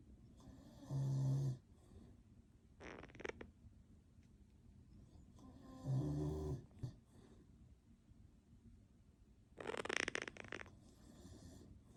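A Quaker parrot makes raspy, snore-like bursts, each lasting about a second, with quiet gaps between.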